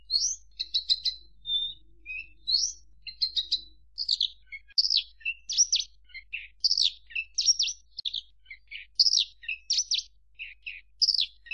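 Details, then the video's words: Javan bush lark song: a continuous, varied stream of sharp chirps, downslurred whistles and short trilled notes, delivered in quick irregular bursts about every half second against a clean, quiet background. "Suara Kicau Burung Branjangan"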